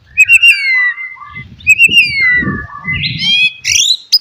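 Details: White-rumped shama song to encourage a non-singing bird: long gliding whistles falling in pitch, a buzzy rising phrase at the end, with low rumbling background noise.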